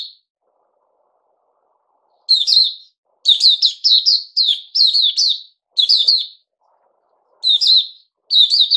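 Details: A kept bulbul, known locally as Puteh Raja and fed a juice and mealworm combo, begins after a pause. It then pours out a long chattering sequence of rapid, slurred whistled notes, followed by two more phrases.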